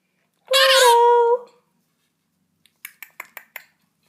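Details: A pet male monk parakeet that has been plucking its feathers utters one drawn-out, nasal, speech-like word, then a few soft clicks follow.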